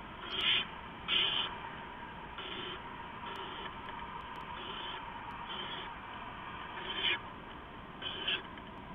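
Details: Owls at a nest at night, an adult delivering rats to owlets before dawn in mid-November: two short, harsh hissing bursts near the start, then fainter repeated rasps against constant hiss.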